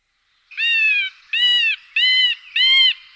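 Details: Male middle spotted woodpecker song: four drawn-out, nasal, slightly arched mewing notes, each about half a second long, spaced with short gaps, rich in overtones and steady in loudness.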